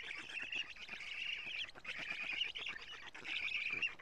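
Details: Nest camera in Estonia, early morning of 14 June 2017: black stork chicks as their mother delivers lampreys. Continuous wheezy, raspy chattering with brief gaps, rough and fairly high-pitched throughout.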